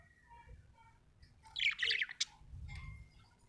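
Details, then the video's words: Happy budgerigar letting out a brief cluster of sharp, scratchy chirps with a high squeak at the end, over low background hum and faint room noise. "happy budgie chirping sound"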